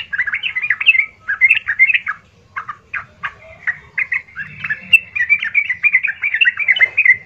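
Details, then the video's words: Yellow-vented bulbul in a harsh, persistent song meant to provoke other bulbuls into answering: dense runs of bubbly, liquid warbled phrases, briefly broken by short separate notes near the middle, then resuming in a continuous chattering stream. "pancingan trucukan gacor kasar"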